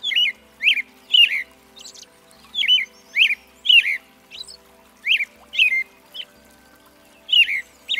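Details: Song of an American robin: a steady run of short warbled, slurred notes, each dipping then rising, given about two per second with brief gaps, some softer squeaky notes mixed in; low constant hum beneath.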